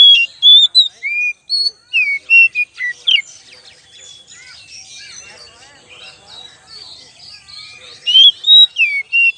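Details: Oriental magpie-robin lure recording: bursts of sweet whistles and quick slurred notes, varied in pitch. They pause in the middle for a quiet stretch of faint chattering, then the loud whistles resume near the end.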